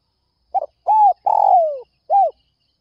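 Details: Spotted dove calling in early morning to lure other doves: a quick double note, then an arched mellow coo, a long buzzy coo sliding downward, and a final arched coo, all low and hollow over a silent background.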